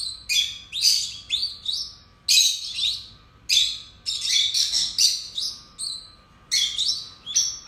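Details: Continuous excited chatter from two caged pet lovebirds, strings of piercing squeaky tweets and scratchy chirps tumbling over each other with barely a break.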